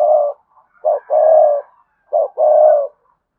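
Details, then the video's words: Cooing of a spotted dove, cườm sa type, in a pattern of a short low note followed by a long, even, hollow coo, the pair repeated twice after an opening coo. "cu gáy thúc gù CƯỜM SA, cu gay kich boi nhanh noi gù"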